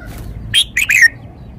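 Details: Red-whiskered bulbul kept in a cage, singing one crisp phrase of three quick whistled notes, the last sliding downward, set against a quiet low hum.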